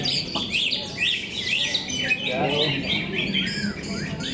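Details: Competition singing by greater green leafbirds at KDP BC Arena in Cikeas: rapid bright chirps and slurred whistles in busy, overlapping bursts, with crowd voices murmuring underneath and a few louder low chatters near the middle.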